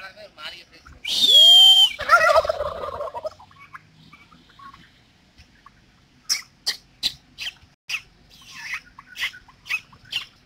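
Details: Displaying male turkeys performing a mating dance for hens; one loud rolling gobble of about two seconds, then a series of short sharp clicking taps repeated roughly every half second.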